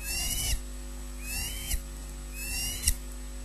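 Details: Osprey at a nest in Scotland as the male brings the first fish of the day at 06:19 and the female claims it: three slurred, arching whistled calls about a second apart over a steady low electrical hum and soft rustling.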